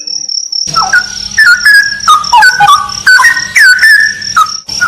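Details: Straw-headed bulbul in a cave said to be haunted, giving liquid, gurgling whistled phrases that slide up and down, over a thin, steady high-pitched tone running through the whole recording.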